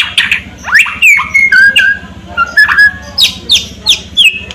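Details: White-rumped shama singing loud slurred whistles, some rising, some falling, interspersed with sharp crackling notes and quick bursts, with a steady low hum underneath.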